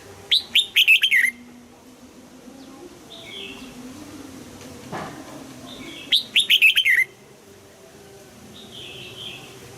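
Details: Red-whiskered bulbul in morning voice-training song, double-note old-forest style: two bursts about five seconds apart, each a fast string of high, descending whistled notes ending lower, with faint distant chirps between.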